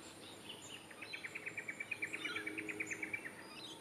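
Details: Lewin's honeyeater calling in Ross Road Parklands, Brisbane, Queensland, Australia, on 3 March 2024: a rapid run of about twenty short, clipped notes, level in pitch and swelling slightly in the middle, over quiet background hiss.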